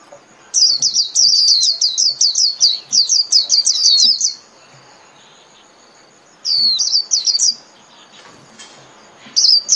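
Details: Japanese white-eye singing the líu style of song, meant to be played 30 minutes daily to train birds: rapid bursts of very high, sweeping twittered notes, a long run, then two shorter bursts after pauses.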